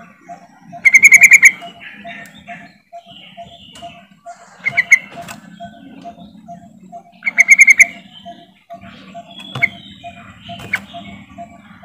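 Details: Yellow-vented bulbul lure call to trigger silent bulbuls into singing: three bright bursts of fast, chattering notes spread across the clip, with a steady mechanical hum and faint chirps in the background.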